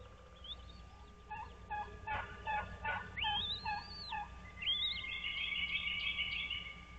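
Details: Wild bald eagles at a nest on Dale Hollow Lake, on the Kentucky-Tennessee line, 06:05 on 06.03.2023: a quick run of short piping notes, then a long rising-and-falling whistle, then a high twittering chatter.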